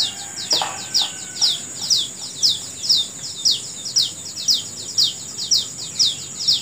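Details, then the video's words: In the morning a bird repeats loud, piercing downslurred chirps at an even pace of about two per second, backed by a constant high-pitched insect hum. "Suara Burung Di Pagi Hari"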